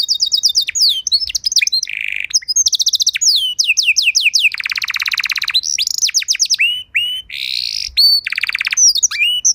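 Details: Canary master song played to train other canaries: continuous bright song of rapid descending whistled notes, long fast rolling trills and buzzy rattles, phrases repeated in series and changing every second or two.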